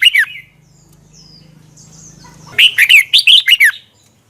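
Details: Red-whiskered bulbul song from Thailand, a doubled phrase used to teach young birds: a short warbled fragment, a low steady hum in the background, then a phrase of about seven quick, bright, slurred notes.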